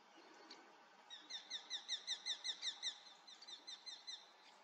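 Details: A Eurasian hobby calls on a foggy morning, 7 August 2024: a fast series of sharp, high 'kew-kew-kew' notes, about a dozen in two seconds, then a softer trailing run, over faint background hiss.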